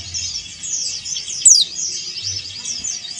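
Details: A male Oriental white-eye of the Bali variety gives a thin, high twittering with one sharp downslurred note, calling out to a rival, over a steady high hiss.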